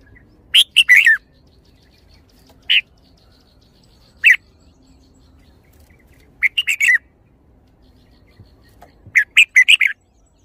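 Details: Red-whiskered bulbul singing brief bursts of three or four rapid whistled, chirpy notes, separated by single isolated notes. The pauses between bursts are about two seconds, in otherwise quiet surroundings.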